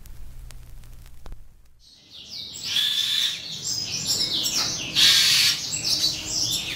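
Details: Asian pied starling singing, described as creating songs similar to its patron's. Quiet low rumble for the first two seconds, then a dense stream of varied high chattering and whistled notes that grows louder toward the end.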